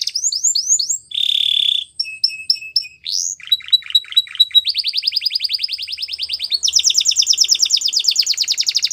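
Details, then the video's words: Canary singing a training song: quick descending chirps, a buzzy roll, clipped stuttering notes, then long even trills that switch to a higher, faster rattle toward the end. "Canary Bird Singing | The Best Canary Training Song"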